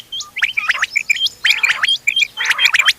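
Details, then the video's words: Mixed quail calls, several local types (ghonge wal, doghla, changa) recorded 31 October 2025 for hunting: short hooked chirps near the top with rough, buzzy bursts in clusters, repeated with brief gaps. "گھونگے وال دوغلا چنگا بٹیروں کی مکس آواز quail bird sounds for hunting bater ki awaaz"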